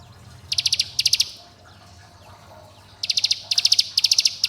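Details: Bar-winged prinia call that summons companions and provokes rivals, used to lure young birds into song: two high ticking bursts, a quiet gap of nearly two seconds, then several bursts in quick succession.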